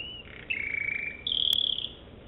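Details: American Singer canary singing: high sustained trilled phrases, one dropping slightly in pitch and a later higher one, with a sharp click partway through.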